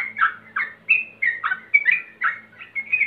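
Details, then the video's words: A yellow-vented bulbul, described as a male calling rivals and used as a lure to prompt singing, sings a lively string of bubbly, liquid, mid-pitched, slightly rising notes, about three a second, against a quiet background. "Pancingan Trucukan Agar Cepat Bunyi Ropel"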